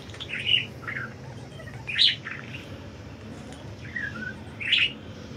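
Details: Freely flying budgerigars giving sparse, bright, buzzy chirps, three louder ones spaced about two seconds apart, with soft twitters between and a low steady hum underneath.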